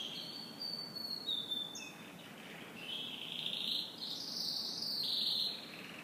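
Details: Canary morning song with drawn-out whistled tones shifting in pitch, building into a louder buzzy rolling trill toward the end.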